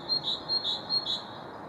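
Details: Great tit singing on 6 April: a bright, high two-note phrase repeated three times in quick succession, about every 0.4 seconds, over a soft, steady hiss.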